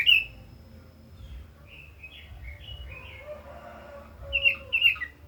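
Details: Red-billed leiothrix in full song: clear warbled whistled phrases sliding up and down, loudest at the start and again near the end, over a low steady rumble.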